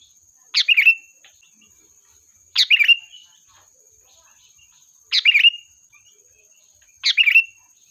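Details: Lure call of a sooty-headed bulbul meant to summon the flock: four short gurgling phrases, each sliding down into a clear final note, spaced roughly two to two and a half seconds apart, with a steady faint high hum behind.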